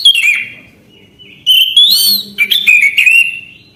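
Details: Sustained whistled song of an Orange-headed thrush, the 'gacor' style that never stalls: sliding, falling notes, a short gap, then a rich run of warbled and trilled phrases.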